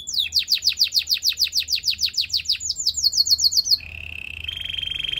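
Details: Rapid canary song for training, a long run of quick sharp descending notes gliding into a higher series, then a lower steady buzzy trill.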